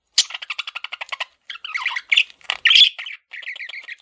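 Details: Male parakeet kept as a pet: a fast train of evenly spaced ticking chirps, then louder nasal squawky notes and a buzzy trilled phrase at the end.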